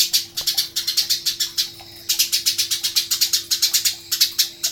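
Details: Eurasian tree sparrow recorded as a master song for training songbirds: rapid bursts of sharp, high chirps repeated about five per second, broken by short pauses, with a steady low hum beneath.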